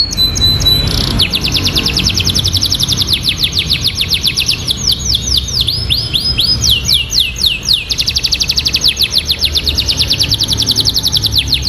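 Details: Canary singing continuously in the ciblek-filled style: a short high whistle, then long rapid trills of sharp downward-slurred notes, switching midway to slower arched slurs before the fast rolling trill resumes.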